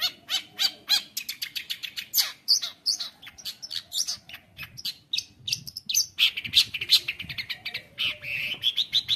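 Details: Long-tailed shrike singing its full, varied song, used to tutor juvenile shrikes: a rapid, uneven stream of sharp high chips and scratchy notes, a few trilled and buzzy phrases, about three notes per second.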